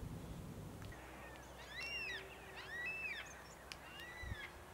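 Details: South-eastern Glossy Black-Cockatoos of subspecies lathami, recorded March–October 2022 on the Kings Tableland foraging area of the Blue Mountains, New South Wales: three arched, creaky, wavering calls about a second apart over a steady low hum.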